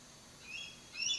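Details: An eagle chick in the nest on the Assabet River gives two faint, high, thin chirps, calling for its parents, over a soft background hiss.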